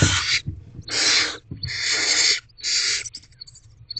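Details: Barn owl family in a nest box at dusk as the male brings a rodent: four long, harsh, hissing screeches, each about half a second to a second, with brief silences between.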